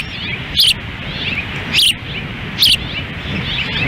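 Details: Osprey nest at Dunrovin Ranch, Lolo, Montana, June 10, 2017: the female feeds in strong wind while the male stands by. Three shrill, wavering chirps come a second apart, with wind roaring beneath.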